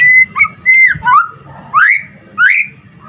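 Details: Clear white-rumped shama whistles in gacor style: a few pure level notes followed by upward-sweeping slurred whistles, spaced by short gaps, over a faint low hum.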